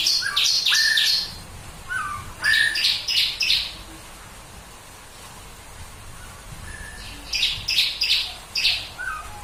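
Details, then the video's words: {'caption': "Bar-winged prinia delivering a 'tembakan' burst, said to set other birds singing: quick strings of buzzy chipping notes with short whistled slurs, in two phrases separated by a quieter gap of faint background noise."} "Tembakan Ciblek Kristal Buat Burung Lain Ikut Berkicau"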